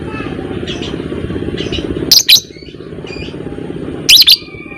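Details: Fighter-type lovebird used as a lure bird for long chatter; two loud, rasping double shrieks about two seconds apart, with faint chirps and a constant low rumble beneath.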